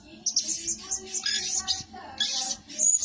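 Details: Blue-crowned hanging parrot used as a lure bird, said to call diligently day and night: high, thin chirping notes in short bursts, with a faint low tonal hum underneath.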